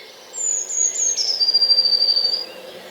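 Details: Eurasian Blue Tit singing in a Hampshire, UK garden, 2020: a fairly high-pitched song, a thin very high note sliding lower and breaking into a quick fluttering trill, with a faint low hum underneath.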